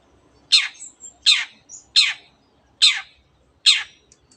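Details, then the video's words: Long-tailed shrike, a bird with canary and many other birds' songs in its repertoire, gives five loud, harsh, downward-sweeping notes about every 0.8 seconds, with faint soft twitters between them. "cendet gacor nembak nembak rapat isian kenari dan banyak jenis burung yang masuk masteran"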